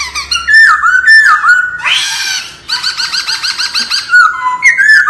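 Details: Wild-style laughingthrush song for voice training: loud whistled phrases with dips and rises, a brief harsh burst, a string of about eight quick repeated notes, then a rising whistled ending.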